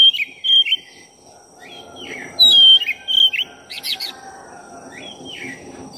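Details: Oriental magpie-robin of the black-breasted form used to provoke rival birds: a run of clear whistled slurs and sharp chirps, varied and quickly delivered, with brief pauses between bursts and a faint background hum.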